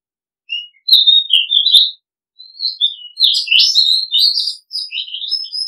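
An Oriental magpie-robin sings a varied run of clear, sweet whistles and slurred notes, some rising and some falling, in quick phrases with short pauses.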